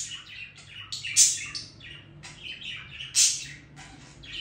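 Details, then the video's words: Budgerigar chattering song with soft burbling, sliding notes and two loud, sharp squeaks spaced about two seconds apart. "Periquito Australiano Cantando"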